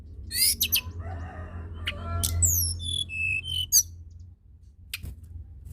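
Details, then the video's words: Tledekan gunung singing rapidly to stimulate other birds: harsh high bursts, then descending whistled slurs and short clear notes, with a noticeable low hum throughout. "Tledekan gunung gacor!! sangat cepat merangsang bunyi burung tledekan malas bunyi"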